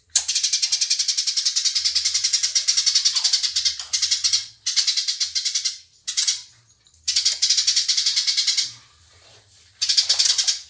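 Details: Fighting house sparrows give harsh, buzzy chatter in long rapid runs separated by brief pauses, with faint low thumps underneath.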